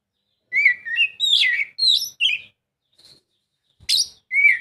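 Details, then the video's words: Oriental magpie-robin song meant to prompt a lazy bird to sing: a tumbling run of whistled and chirped notes, a brief quiet gap, then a harsh chirp and a final clear whistle. "Kacer mana yang gak lasung bunyi dengar suara kacer ini"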